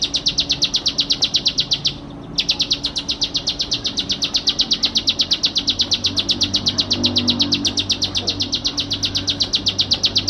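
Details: Bar-winged prinia singing energetically: a steady, rapid train of identical buzzy high notes, about three per second, broken by one brief pause near the start, with a soft low hum behind.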